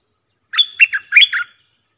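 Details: Sooty-headed Bulbul song used to train young hand-reared and wild-caught birds, in styles called sap dok, boem and rik: one loud phrase of four or five quick, warbled whistled notes with a thin high whistle running above.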